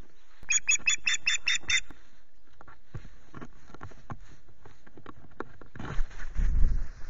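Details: An Osprey calls at its Loch Garten nest during intrusions on the morning of 19 April. Seven rapid shrill piping notes give way to clattering at the nest, then a low rumble of wind.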